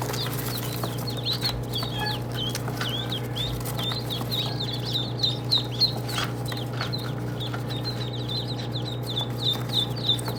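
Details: Many duckling chicks peep busily. The shrill, clipped notes come thick and fast, some louder bursts stand out, and a constant low droning hum runs underneath.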